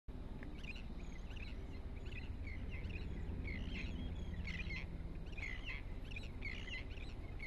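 Long-billed curlew giving a quick series of short, rising whistled notes, about two a second, over a steady low rumble of wind or distant traffic.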